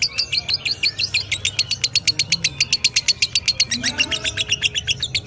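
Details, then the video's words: Unbroken lovebird ngekek chatter: piercing, high notes fired in a steady rapid stream for over five seconds, with slight shifts in pitch partway through. "Love Bird Ngekek"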